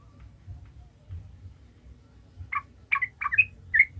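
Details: Yellow-vented bulbul used as a lure to make other bulbuls sing: after a quiet low hum, five short, rich, slurred notes come in quick succession.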